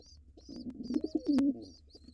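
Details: Wild pigeon coo from an intruder male attacking nestlings in a nest box: a single low guttural coo swelling to a drawn-out note, with faint high chirps above.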